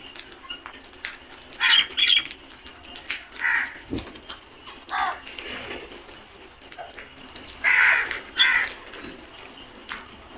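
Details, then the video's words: A flock of crows giving harsh, hoarse caws in scattered bursts, some in quick pairs, about eight loud calls over ten seconds with quieter caws from farther birds in between. "Flock of crows beautiful sound effect | Crows sounds"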